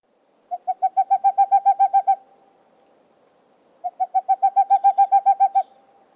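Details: A Boreal Owl, a species sought at Mount Rainier National Park, gives two quick bursts of about a dozen hollow, evenly spaced toots, each run over a second and a half, with a quiet pause between.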